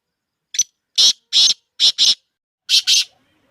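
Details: Black francolin (kala teetar) for sale, calling a longer phrase: a short high opening note, then a run of harsh, grating blasts, with two further rasping notes added after a brief pause.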